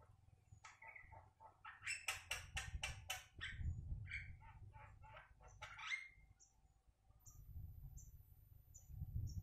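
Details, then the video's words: Black-naped oriole, a kept bird that keeps vocalising well, delivers a burst of harsh, scratchy notes in quick succession, then a short nasal rising call, with a low background hum and quiet gaps between phrases. "ciri ciri kepodang gak mau dirawat tapi tetap gacor"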